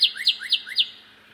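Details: Cardinal sounding off loudly near a feeder: four quick, clear whistled slurs in a little under a second, then silence apart from a faint background hum.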